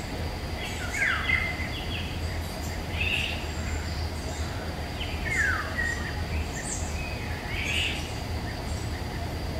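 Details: Woodland Eurasian golden oriole in May 2021, captured with a Nikon Coolpix P1000: four separate fluty phrases, each a quick falling whistle, spaced roughly two seconds apart, with faint high bird notes and low background hum.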